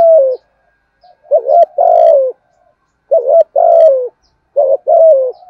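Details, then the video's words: Spotted dove call in the Vietnamese "thổ" voice, male and female, used to provoke other doves into calling back; low hoarse coos around mid pitch, three bursts of two-to-three notes, each ending in a longer falling coo, with silent gaps. "Chim cu gáy giọng thổ THÚC GÙ bổi nghe rất ức chế, bổi nghe là phải gáy theo dai dẳng"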